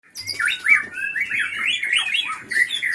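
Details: White-rumped shama of Leuser stock from Pining, Gayo Lues, Aceh, Indonesia, captive-bred, with sharp, long-breathed song: fast run of loud whistled and slurred notes, rising and falling, with low background hum.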